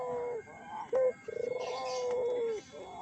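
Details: Lure call of a Barbary dove for provoking other doves: one short clipped note, then a pulsing coo drawn into a long, level, slowly falling tone, with faint hiss behind.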